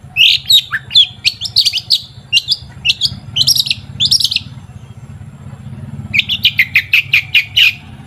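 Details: Long-tailed shrike singing, played as a lure to get other shrikes singing: clusters of sharp chirps and squeaky notes, a short pause, then a quick even series of about eight high ticking notes; low hum behind.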